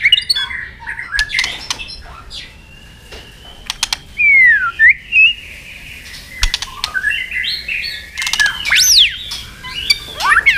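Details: White-rumped shama fighting song with tail-snapping, used to provoke and train other shamas: a few clear whistled phrases, some sweeping sharply up and down, among dry clicks and taps in a quiet background.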